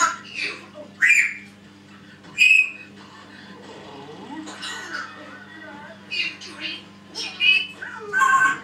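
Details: Pet African grey parrot indoors mimicking phrases such as "Shut up!", "Hello?" and "Ring ring", with short speech-like bursts, bright whistled notes and quieter mumbling, over a steady low hum.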